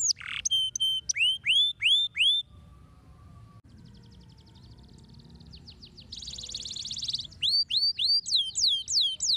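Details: Canary song meant to stimulate canaries into singing: upswept ringing notes repeated about twice a second, a soft faint trill and buzz in the middle, then loud buzzy rattle and more rising chirps.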